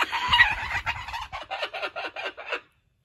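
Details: Laughing kookaburra held at a wildlife sanctuary, playing with a toy taken from a joey. Low rumbling sounds open the recording, then a series of harsh, repeated notes fades away and stops.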